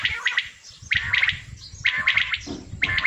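A male quail gives a sharp, liquid three-note phrase, repeated about once a second, over a low background rumble.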